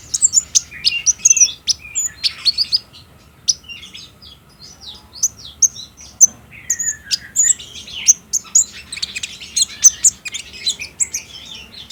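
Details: Sunbird (kolibri ninja ijoan, konin trotol) song as a daytime lure for captive birds, recorded on a Samsung J5: dense, very high twittering with quick chirps and trills running almost continuously, brief quieter gap midway.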